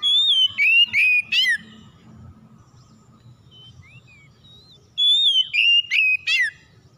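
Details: Oriental magpie-robin song used as a lure to provoke other magpie-robins into singing: a burst of clear whistled notes, sliding phrases and buzzy trills, then silence and an identical burst about four seconds later, with a low hum beneath.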